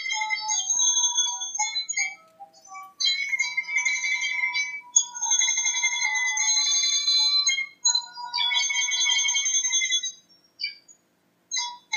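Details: Steady electronic tones in a bright ringtone-like melody play throughout, with no animal voice heard.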